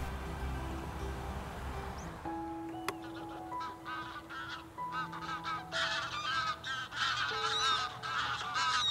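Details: Greylag geese in winter on a sandy rocky UK beach give a rapid, overlapping chorus of harsh, nasal honks, several birds calling at once, with soft background music of steady held tones underneath.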